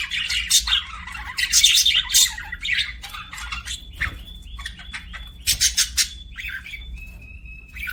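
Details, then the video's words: Budgerigars in an aviary squawking and chirping: harsh buzzy bursts and scratchy warbles, with a few thin sustained whistles between them, over a soft low hum. "BUDGIE CHIRPING SOUNDS"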